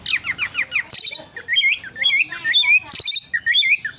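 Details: Oriental magpie-robin fighting song meant to provoke other birds: quick series of descending whistled slurs, then harsh buzzy bursts mixed with twisting high whistles, delivered densely without pause.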